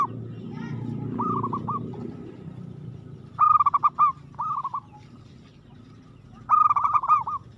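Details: Zebra dove (perkutut) with aggressive song: rippling cooed bursts, the loudest roughly every three seconds, following a muffled rumbling start.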